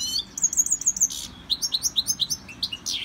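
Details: A caged goldfinch in song training sings a string of sharp, high chirps and rising twitters, crisp and evenly spaced, with a brief burst of hiss in the middle.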